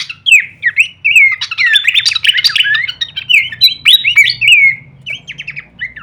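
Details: Horsfield's babbler singing a full-variation kleperan song, used as masteran training audio for songbirds: dense, rapid run of slurred whistles and chattering trills, rising and falling in quick overlapping bursts, with a faint low hum beneath.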